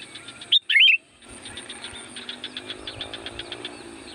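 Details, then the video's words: Sooty-headed bulbul (kutilang), loud song used as a lure to call in wild bulbuls: one short bubbly whistled phrase with rising and falling notes, followed by steady rhythmic high chirring in the background. "SUARA BURUNG CUKUP AMPUH UNTUK PANGGILAN KUTILANG LIAR"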